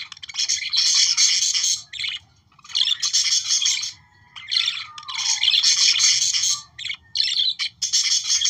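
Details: Budgerigar song intended to stimulate breeding: runs of rapid, scratchy chatter and squawky notes in uneven bursts with short pauses, plus a faint descending whistle in the middle.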